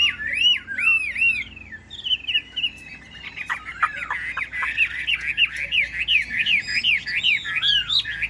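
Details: A yellow-billed Chinese Hwamei sings loud, varied whistles in morning rain, its feathers wet: slurred arching notes, then fast rising-falling phrases two or three a second. The bird arrived the day before and is not yet singing confidently.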